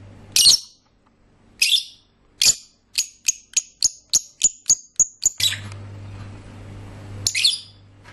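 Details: Singing lovebirds give spaced harsh squawks, then a run of about ten sharp, high ticking chirps that speed up slightly, ending in more raspy squawks, with a low hum in the background.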